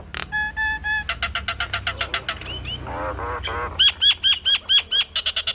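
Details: Chatty Nias hill myna unloading its mimicked repertoire. Three steady whistles open the clip, then rapid clicky rattles and a quacking, nasal burst, and finally a run of loud, looping, hooked whistles repeated about twice a second.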